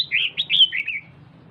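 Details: A female red-whiskered bulbul kept as a cage bird gives a single quick chattering phrase of five or six warbled notes falling in pitch, meant to stimulate the male, followed by quiet hum.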